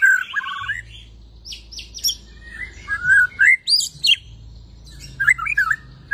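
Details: White-rumped shama after moulting, pouring out varied song. Chattering trills, sharp high buzzy notes and quick rising whistles come in irregular bursts over a low background hum.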